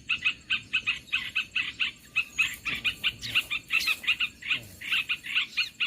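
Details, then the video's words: Olive-winged bulbul call used to attract birds for trapping: clear, chattering paired and tripled notes repeated rhythmically about every half second, with a few thin high squeaks mixed in. "SUARA MIKAT BURUNG MERBAH BELUKAR"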